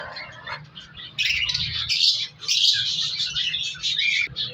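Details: Cockatiel chicks in a captive colony breeding cage in winter give harsh, raspy, hissing calls in long noisy bursts.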